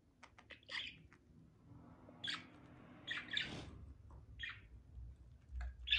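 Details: Budgies while mating utter sparse, rough squawking notes in short bursts every second or so over a faint low hum.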